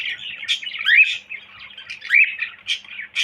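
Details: Cockatiel kept as a pet, whistling in bursts: two clear upward-sweeping whistles about a second apart, set among busy chirps and brief sharp squawky notes.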